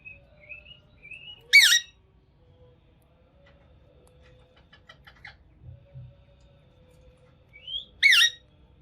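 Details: Green ringneck parrot voice: soft rising whistled notes lead into a sharp harsh squawk, then a pause with faint clicks before another whistle and a second loud squawk about six seconds later.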